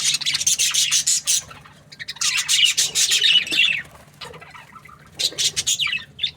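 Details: Budgie chirping in three bursts of fast rasping squawks, separated by quieter stretches with soft scattered notes and a low hum.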